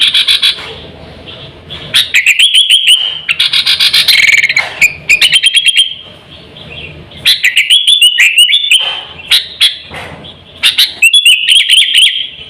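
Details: Sooty-headed bulbul calling vigorously as a lure for attracting birds and schooling pet birds: bursts of quick chattering chips and bubbly whistles separated by short quiet gaps, about three bursts every four seconds.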